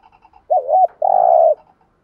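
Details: Spotted dove decoy bird in 'thúc gù' urging coo style. One phrase: a wobbling two-lobed note, a brief pause, then a long, level, faintly buzzing coo, with soft ticks before it.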